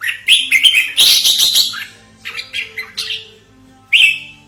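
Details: Red-whiskered bulbul calling as a lure for trapping and a model for tutoring: a long, dense, scratchy chattering phrase, a softer run of quick chirps, then one loud final chirp, with faint hum.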